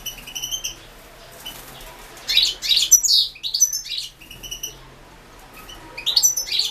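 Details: European goldfinch entered in the 2016 World Championship in Goldfinch Song, held over the internet. Bursts of high, liquid twittering with buzzy notes come at the start, in the middle and at the end, separated by quiet pauses.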